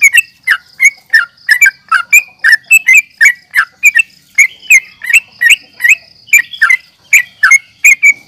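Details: Agitated fighting call of a yellow-vented bulbul, intended to make other birds respond: fast, bubbly, slurred chirps come in a steady, busy stream, with a thin continuous high tone underneath.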